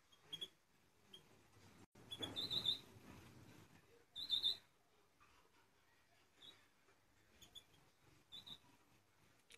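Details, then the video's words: An 8-month-old European goldfinch in a cage gives short, high, tinkling twitters in two brief bursts with scattered single chirps between them, over a quiet indoor background. "الجزئ الثالث للحسون 8 اشهر في السلاكة"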